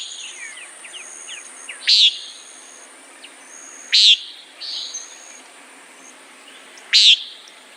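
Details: Three loud, rasping nasal notes from a common nighthawk, separated by two to three second gaps, while faint high chirps and whistles sound in the distance.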